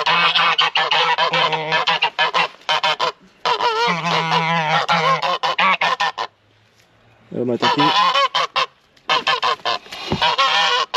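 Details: Several guard geese on a snowy winter farm, described as very aggressive and used as an alarm, honk loudly and harshly in overlapping bursts, with a brief pause midway before the clamour resumes.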